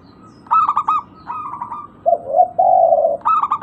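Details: Zebra dove of a local strain, played to coax silent birds into answering: quick stuttered coos followed by lower, longer purring notes, then another stuttering burst, all within a few seconds against a quiet background.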